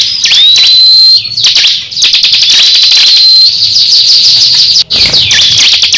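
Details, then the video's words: Crescent-chested babbler in a heated song duel with another caged bird; a hurried stream of buzzy clicks and a sustained high whistle, with steep downward swoops at the start and end. "Duel sengit cikris vs cisem saling adu gaya"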